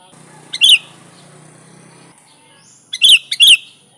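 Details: Sooty-headed bulbul calling vigorously, unmixed and used to lure other bulbuls: a single bright chirp, a low murmuring hum behind it, then after a pause two quick loud chirps in succession.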